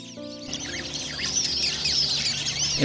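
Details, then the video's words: A flock of plumed whistling ducks in Australia gives a dense chorus of shrill, overlapping whistles over a steady low hum, the whistling call the species is named for. "as we watch the plumed whistling ducks, you can hear the whistling sounds coming from them."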